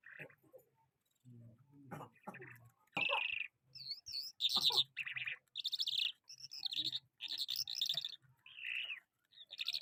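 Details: An Afghan lark in Karachi sings bright, scratchy warbled phrases in quick bursts with brief pauses between them. A person speaks briefly at the start.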